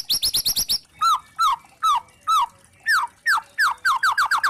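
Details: A white-rumped shama (murai trotol) sings to provoke other shamas: a fast high stuttered series, then loud spaced downslurred whistles about half a second apart, ending in quicker repeated notes.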